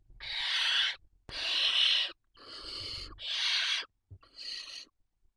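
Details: At a barn owl nest with chicks on a live nest camera in Ávila, a barn owl gives five long, harsh, rasping hissing screeches of about a second each with brief pauses, the last ones shorter and softer.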